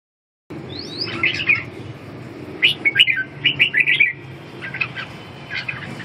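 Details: Red-whiskered bulbul song: bright chirpy whistled phrases in quick bursts, with short pauses between groups of notes and a soft low background hum.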